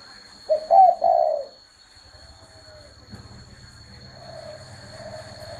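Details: Low three-part spotted dove coo at the start, then a faint, drawn-out soft coo afterwards, with a low rumbling background and a steady high whine.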